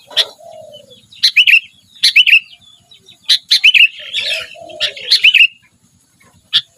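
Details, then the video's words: Sooty-headed bulbul giving short clusters of bright chirpy, bubbling notes with a few low mellow slurred notes between them, then tailing off into quiet. "kutilang gacor dorr"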